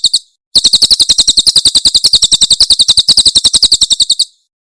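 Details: Javan prinia from Cililin: a short fragment of notes, a brief gap, then a nearly four-second stream of fast, bright, high-pitched pulses ending abruptly.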